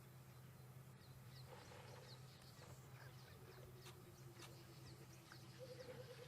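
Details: Rainbird, or Burchell's coucal, heard at a safari waterhole on a January 18 afternoon drive amid lots of other birds. A rapid run of low, bubbling hoots sinks slightly in pitch over a few seconds, while high chirps from many birds and a vehicle's low drone continue.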